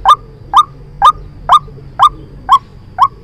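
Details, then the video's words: White-breasted waterhen calling as a trapping lure, sharp upswept notes sounding seven times at an even pace of roughly two per second, clear and dominant over faint low hum. "Tiếng chim quốc Mồi chuẩn dùng để bẫy"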